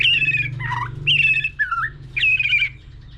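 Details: A white-rumped shama delivers varied contest song: falling buzzy trilled phrases alternating with lower slurred notes, three rounds in three seconds, over a low humming background.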